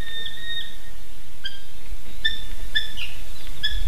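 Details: Two Eurasian hobbies visiting a nest in Slītere National Park, Latvia, at 9:06 am on 3 June 2021: a drawn-out thin whine, then short clear piping notes about every half second, over a steady low rumble of wind; finding: Eurasian hobby.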